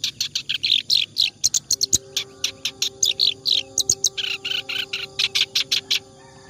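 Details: Clamorous reed warbler delivering a flowing ngacor song used for tutoring songbirds: quick scratchy chatter in rapid bursts, while a steady low tone hums in the background from midway.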